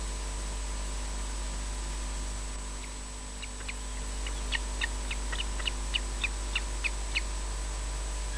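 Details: Osprey at a nest at RSPB Loch Garten, Scotland, giving alarm calls while defending the nest: a series of short, sharp high whistled notes repeated roughly every third of a second, over a steady low hum from the nest camera.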